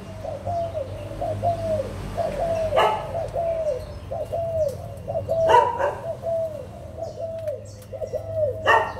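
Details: Adult spotted doves of Malaysian and Thai stock, recorded 16 March 2022, giving a steady run of soft, arched coos in a low register, with sharp knocks near the third, sixth and ninth seconds and a low background hum.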